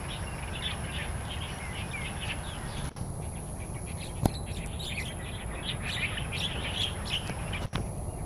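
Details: Starlings singing in the wild in Taiwan: busy, overlapping chatter of high chirps and squeaky whistles from several birds, broken by a couple of sharp clicks over a low background hum.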